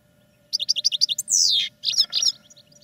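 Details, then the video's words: European goldfinch song from caged birds in training: a string of quick, evenly repeated chirps, then a long, falling buzzy note, followed by a few more sharp twitters. "Goldfinches Singing in CAGES for TRAINING"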